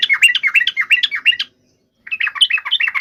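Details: Yellow-vented bulbul giving a sharp, emotional fighting song meant to provoke other birds to answer: rapid bubbly chattering notes in two bursts separated by a short silence.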